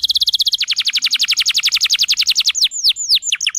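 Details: Canary delivering a very fast, even trill of repeated high notes, followed by a few separate bright downslurred whistles.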